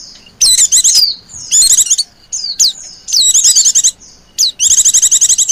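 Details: White-eye call used as a lure for wild white-eyes, 'pleci ribut' style: shrill, rapid chatter bursts alternating with quick downward-slurred whistles, the final burst a long buzzy trill.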